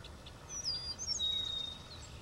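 Eastern Meadowlark song: a short run of clear, high, slurred whistles that slide downward, lasting about a second over a soft outdoor hush.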